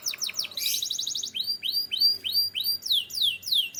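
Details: Singing canary from Türkiye: brief down-slurred notes and a bright rattling trill give way to a slower run of loud downward-sweeping whistled chirps, about three each second.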